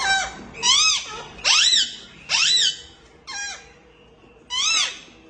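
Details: Female Indian ringneck parakeet feeding chicks in a nest; loud harsh arched squawks repeated about once a second in six bursts, each a rising-falling rasp with a faint tone between.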